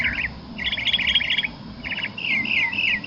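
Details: A territorial backyard Northern Mockingbird, which has 10 to 15 different calls and repeats each pattern about three times, sings quick, varied phrases: a scratchy chatter, then a fast trill, then slurred whistled notes repeated several times before switching.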